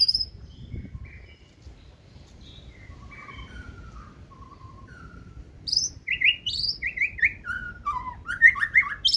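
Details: Caged white-rumped shama of the 2024 season singing in the forest-voice style: soft, scattered whistled notes at first, then from about six seconds a loud, rapid run of rising and falling whistles.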